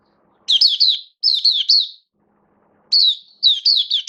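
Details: Caged oriental white-eye (mata puteh), a hobby bird being brought into singing form, recorded 19 September 2022: high, sweet warbled phrases of rapid down-slurred notes, in three bursts separated by short silences.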